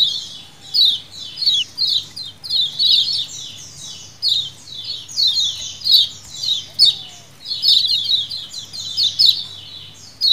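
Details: Colony of lemon-bellied white-eyes calling, a recording used as a lure. Continuous high chattering of many birds: quick, down-slurred chips pile into rhythmic bursts roughly every second, steady throughout.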